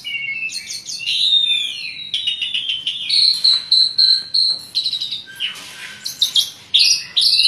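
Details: An Asian pied starling sings energetically, a fast, unbroken medley of sliding whistles, harsh buzzy rasps and chattering notes with many varied fill-in phrases, shifting every second or so. The song is used to lure lazy starlings into singing.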